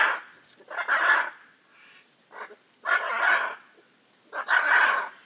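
Hyacinth macaw giving three loud, harsh, grating squawks about every second and a half, with a couple of shorter, softer croaks between them.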